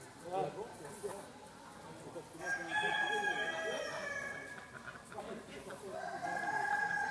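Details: Bronze turkeys at a national poultry exhibition in Roche-la-Molière, France: a long drawn, harmonic-rich call swelling from mid-clip, then repeated toward the end, amid hall chatter and other fowl noises.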